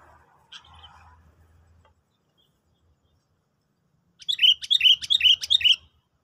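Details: Sooty-headed bulbul heard during a lure trial for bird trapping after a stimulant: after a quiet start with a faint note, a loud rapid run of about six bright, bouncy slurred whistles, with a soft low rumble underneath.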